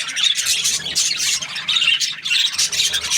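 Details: Happy budgerigar chirping: dense, continuous high warbling chatter with quick squeaky notes and short whistles, steady throughout with brief dips in loudness.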